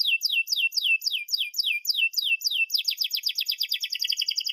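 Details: Canary song as a model for young canaries: evenly spaced, sharp descending whistles, about four each second, breaking into a rapid rolling trill of short repeated notes.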